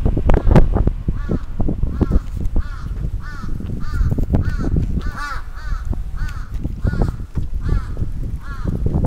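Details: Crow attacking in Sapporo's Atsubetsu Ward on 27 June 2017: a long series of short, harsh caws repeated roughly every half second over loud rustling and thumping handling noise.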